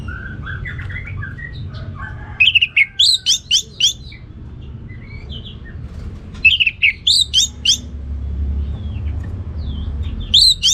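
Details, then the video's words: Two bursts of ngeplong song from an orange-headed thrush. Soft low whistled notes lead into rapid series of sharp, high, clipped notes, about ten in each burst. A quieter interval separates the bursts, with faint hum throughout. "Anis Merah Ngeplong Gacor"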